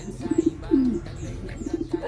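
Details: Pigeon cooing near its eggs: a few quick throaty pulses, a sliding, descending coo, and another burst of pulses, with light rustling behind.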